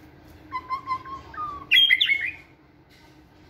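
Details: White-rumped shama, caged, singing energetically during fitness training in a flight cage: a short bout of clear whistled notes, a level low phrase followed by a louder burst of warbled higher notes, then quiet.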